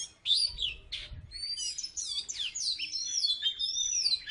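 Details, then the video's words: Oriental magpie-robin from Salatiga, a former third-place contest champion, singing energetically: a rich jumble of high whistled and rasping phrases, with sweeping slurred notes running together after a brief pause. "Burung kacer salatiga gacor"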